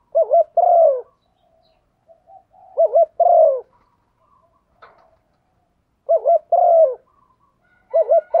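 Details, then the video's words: Luring call of a female spotted dove that stimulates a male. Four low coo phrases are repeated about every two and a half seconds, each two brief wavering notes and a longer falling note, with soft murmurs between. "Tiếng chim cu gáy MÁI kích trống, chim cu mái thúc gù"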